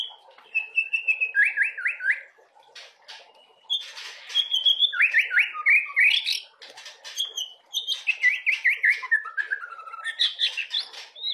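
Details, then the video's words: A young white-rumped shama delivers a varied song of quick trilled notes rising and falling between mid and high pitch, with whistled phrases and harsh chattering bursts in between. "Burung Murai Batu Trotolan suaranya udah kaya gini isiannya"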